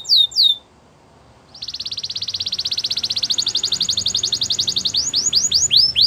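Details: Two brief high sweeps and a short pause, then a long rolling trill of very rapid pulses that speeds and brightens, closing with several curved whistled notes. Canary song for training.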